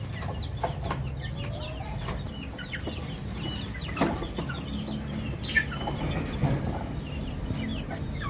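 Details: Many baby chicks peeping, with quick high chirps, some sliding downward, scattered densely across the whole stretch above a constant low rumble.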